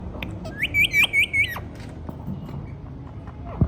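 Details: Rose-ringed parakeet (ringneck parrot) talking: a quick run of five bright, ringing nasal syllables, evenly spaced, then quiet with faint low background hum.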